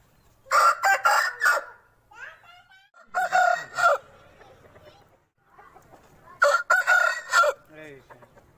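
Aseel roosters give three short, harsh, broken crows about three seconds apart, with fainter clucks and calls from other birds between them.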